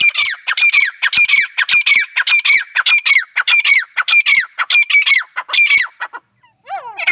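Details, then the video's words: Female francolin (teetar) calling: a rapid series of harsh, squawking notes with descending tails, repeated about every third of a second for six seconds, then a pause and a few softer lower notes. "female teetar awaaz madi teetar ki awaz francolin sound"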